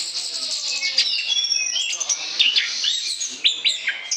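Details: Continuous chattering song of an Orange-headed thrush, played as a lure: thin high whistles and quick scratchy notes run together, with a few brief downslurred phrases near the end.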